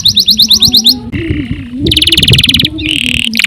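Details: Canary in long, nonstop gacor song, used as tutor song for training other songbirds: rapid high trills of short repeated notes, then buzzy rolled phrases and a bright dense trill, over a steady low hum.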